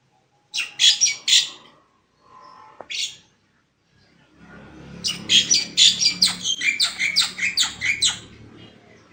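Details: Black-winged myna in full song: a burst of harsh, squeaky notes, a pause, then a long run of rapid, raspy chattering phrases over a soft background hum.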